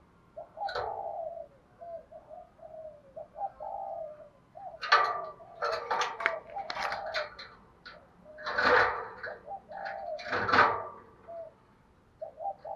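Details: Spotted dove coos, from male and female birds, used to train captive doves and stimulate them to coo. Low, soft hooting notes come in short phrases, broken up by loud knocks and rustling bursts in a small indoor room.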